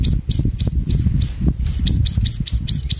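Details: Sparrow mother feeding her chicks as evening approaches; crisp high rising chirps repeated about three to four times a second, over low background rumble.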